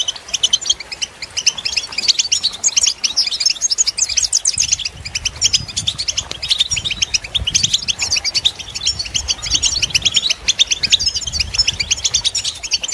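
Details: Long, unbroken European goldfinch song meant for training birds: a steady stream of sharp, high twittering notes and bright trills repeated quickly throughout, with a soft low background hum.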